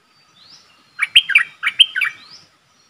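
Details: Decoy streak-eared bulbul calling toward a wild flock, a faint rising whistle, then two tight bursts of bubbly chirping notes and a soft rising whistle at the end, recorded close in quiet surroundings.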